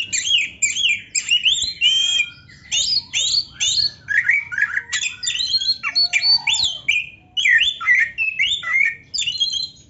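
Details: Full-isian tutor song of a black-breasted Oriental magpie-robin, meant to make rivals sing: nearly ten seconds of varied whistles, chatter and slurred notes in phrases separated by short pauses.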